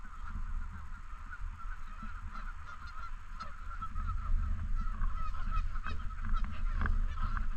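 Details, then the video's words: Canada geese at a park lake honk in a loose, irregular series, about two to three honks a second, louder in the second half, with constant low wind rumble beneath. "Canadian Geese Honking In And Around The Lake"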